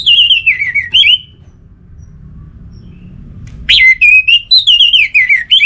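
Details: Lively Orange-headed thrush song used to stimulate other thrushes into full song. Bright, fluttering whistles fall from high to lower notes, then a quiet gap, then a longer rippling phrase of slurred whistles.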